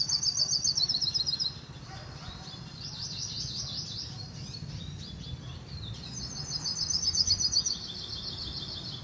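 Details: Hooded siskin giving a rapid, high twittering song of quick trilled and warbled notes, strongest at the start and again near the end, over a constant low hum.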